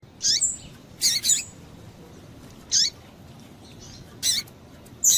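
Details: Female double-collared seedeater calling to stimulate males: short, very high, harsh chirps in bursts of one or two, separated by pauses of under a second to about a second and a half, over a quiet, faint hiss.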